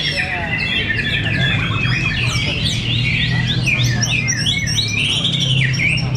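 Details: White-rumped shama fighter birds in a fierce contest at Cibinong deliver rapid whistled phrases, buzzy chatter and a long rising-then-falling slur near the end. A steady low hum runs underneath.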